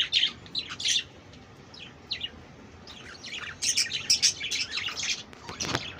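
Budgerigars chatter in quick, high, scratchy chirps and warbles, coming in bursts with short pauses, busiest toward the end.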